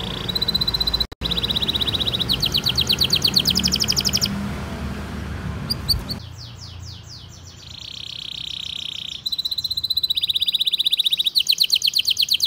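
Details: Lively long canary song meant to coax young or silent canaries: fast high chattering trills in bursts, a brief break, then swept notes and a sustained tone, with low rumbling noise in the first half.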